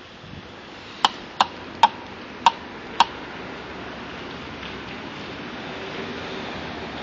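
Five sharp, dry clicks about half a second apart in the first three seconds, then a quiet room hum with no animal voice.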